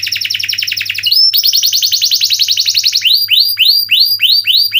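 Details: Canary singing a loud varied song: a rapid buzzy trill, a quick upward slur, a long rolling tour, then a series of descending swooping whistled notes repeated about every third of a second.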